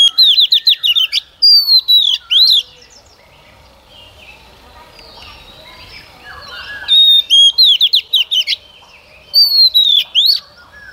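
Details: Female white-rumped shama song meant to trigger males to sing: bursts of fast descending whistled notes and slurred phrases, a quiet gap of several seconds with faint background, then the phrases return.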